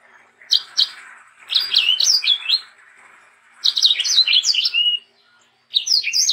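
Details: Sanger song meant to teach and provoke young sangers: short phrases of sharp, high chirps and quick whistled slurs, repeated in bursts with brief silent gaps, over a steady low hiss.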